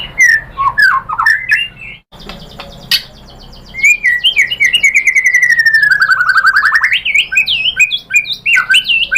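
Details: Provoking lure of white-rumped shama song: jumbled quick whistles, a brief pause, then a long sweet whistled phrase gliding slowly downward over rapid high ticking notes, ending in fast rising slurs.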